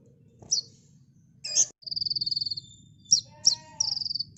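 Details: Olive-backed sunbird, a master recording for cage-bird training, giving scattered sharp high notes and a long, fast, buzzy trill, then more chips and a shorter trill over a low background hum.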